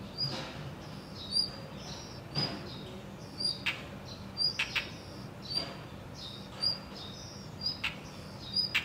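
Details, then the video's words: Female blue rock thrush calling with food in its bill on Oharaimachi Street, Ise, Mie Prefecture, Japan, on 29 June 2021: brief, thin high chirps and short whistled notes, about one a second, over a soft hiss. "イソヒヨドリの鳴き声 Songs of Monticola solitarius"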